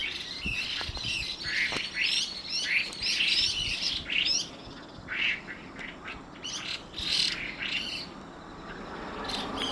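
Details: Chinese hwamei pair calling at dusk with rough, grating squawks and some piping notes, in irregular clusters separated by short gaps.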